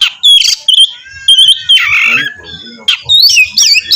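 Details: Oriental magpie-robin in full song meant to provoke another to answer: clear whistled notes and short bursts separated by pauses, with a harsh scratchy phrase midway and fast warbling at the end.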